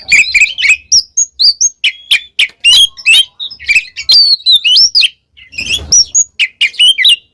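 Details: Oriental magpie-robin in full gacor ngeplong song, mixing high sweet whistles, upward-sweeping notes and scratchy chips in quick succession, broken by one brief silence before resuming.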